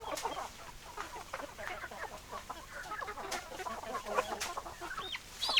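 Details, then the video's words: Chickens in a flock, hens clucking densely and continuously, short overlapping clucks and murmurs with a few brief higher calls standing out near the end. "Chicken Sounds Noises Hens Clucking Roosters Crowing"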